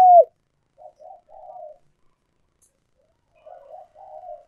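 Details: Old wild decoy spotted dove used to attract wild doves to traps: a loud coo ending in a downward slide at the start, then quiet, low, wavering murmured cooing phrases separated by silence.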